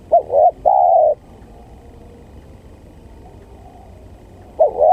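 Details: Lure call of a spotted dove for trapping birds: a husky wavering coo and a drawn-out note open the recording, then quiet, then the phrase begins again.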